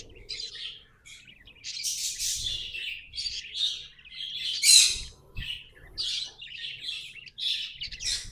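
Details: Pet budgerigars chattering and singing: separate bursts of scratchy, buzzy chirps and squawks with brief silences between, over a low hum and an occasional thump.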